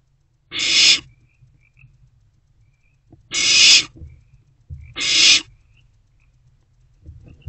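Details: Hissing begging screeches of a barn owl owlet in an owl box during the early hours of 16 March 2024 as it swallows freshly delivered prey; three harsh noisy bursts, the last two close together, with faint rustling.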